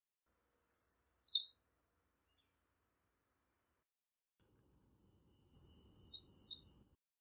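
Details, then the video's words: American redstart singing two short high phrases, each a rapid run of thin sibilant notes ending in a downslurred flourish, about five seconds apart, in otherwise silent surroundings. "American Redstart Singing - Candelita Norteña Cantando"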